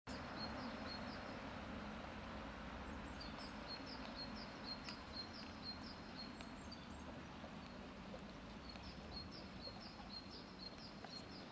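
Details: Grey wagtail at Prule, Ljubljana, on 10 February 2024, giving thin, high chirps about two a second, half-buried under a loud, steady rushing roar like water or traffic.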